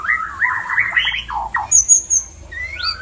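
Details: A white-rumped shama calling to prompt mating: a wavering run of mid-pitched warbled whistles, then a thin, very high drawn note and a rising whistle at the close.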